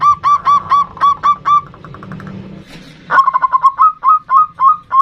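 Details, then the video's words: A local zebra dove performs its 'ndudut' variation song, used as a lure to call an angry rival. Quick runs of clipped, ringing coos, a stretch of softer notes under low noise, then slower, stronger coos. "Perkutut Lokal GACOR suara VARIASI NDUDUT Ampuh memanggil Lawan EMOSI MANGGUNG PANCINGAN PERKUTUT"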